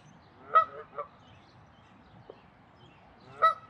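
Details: Territorial Canada goose at Wilde Lake in Columbia, Maryland, on April 11, 2024: a sharp nasal honk followed by a shorter one, a pause, then another loud honk near the end.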